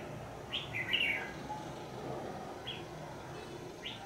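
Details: Decoy red-whiskered bulbul used for trapping, calling an escaped bird back home; one short warbled burst followed by two isolated sharp whistled notes, against constant low background hum.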